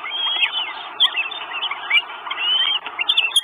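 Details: Four Northern goshawk chicks at a nest in Estonia, 1 June 2022, on a live nest camera, begging for food: overlapping thin whining calls that rise and fall, with sharper squeals breaking through now and then.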